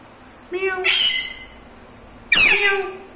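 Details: Talking pet Indian ringneck parakeet in a small room, mimicking a cat; two loud harsh syllables, the first a short voiced note, the second a sharp noisy burst, roughly 1.5 seconds apart.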